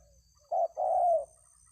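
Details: Spotted dove (tekukur) singing in the "kuk 2 3" cooing style in a yard; two low hollow coos, a short note followed by a longer drawn-out one lasting about half a second, over a faint low background hum.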